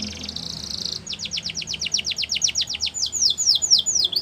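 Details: Singing Gloster canary: a short buzzy trill, then a fast series of sharp downward-sweeping whistled notes, closing with slower, wider slurred notes.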